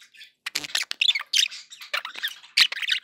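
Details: Cheerful chatter from pet budgerigars: a busy stream of high, raspy chirps and squeaks, with hardly a pause.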